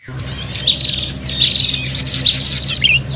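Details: Prinias giving noisy, agitated fighting calls used as a bird lure: dense high chattering and trilled notes overlapping continuously, with repeated sharp chips and buzzy rattles, over a steady low hum.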